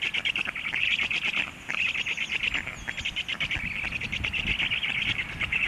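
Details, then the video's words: Stork chicks begging from hunger: dense, scratchy high-pitched chatter pulsing quickly, with a brief lull in the middle before it resumes steadily. "storklets hungry"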